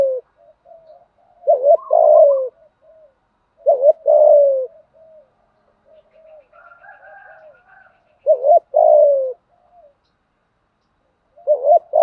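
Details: Repeated spotted dove challenge song for decoy training: four loud low phrases, each a kinked two-part note and a sliding coo, spaced about three seconds apart, separated by faint soft coos.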